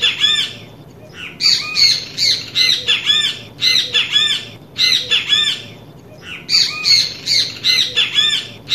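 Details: Great kiskadee recorded in nature, singing loud, harsh, squawking phrases of three to four notes, repeated in clusters every second or so with short pauses, over a faint background hum.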